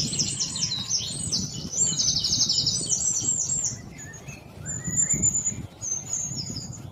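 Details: Black-throated bushtit giving very high, thin, rapid trilling calls in quick bursts, then sparser high pure notes, with a few lower whistled notes and a steady low rumble of wind in the background.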